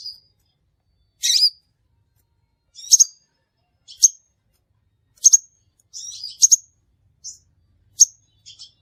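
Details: Crimson sunbird lure call: a buzzy burst, then shrill single and double chips at uneven intervals of about one second, ending in quieter softer ticks.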